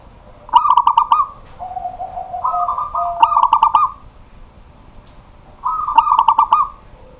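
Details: Local zebra dove, a kept cage bird, singing at night: bursts of rapid stuttering coos, then a drawn-out cooing phrase, three phrases with quiet gaps in between.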